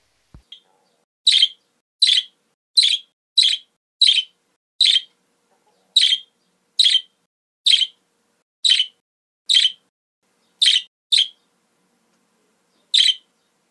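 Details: Budgerigar (Melopsittacus undulatus) gives a string of short, harsh, scratchy chirps separated by brief pauses; a recording meant to be played to pet budgerigars to get them singing.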